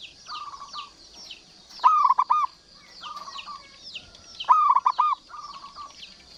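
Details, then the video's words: Zebra dove, local variety, singing steadily to prompt other doves: two loud stuttered coo phrases framed by softer rolling coos, with a continuous wash of high chirping birds in the background. "PERKUTUT Lokal GACOR"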